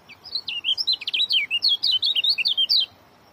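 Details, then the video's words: Oriental white-eye singing a fast, dense short-speed song: an unbroken burst of about three seconds of quick, high, looping whistled notes, bright and rapid-fire, ending abruptly. "joss rapat.. bikin kecial kuning lain ikut ketar ketir"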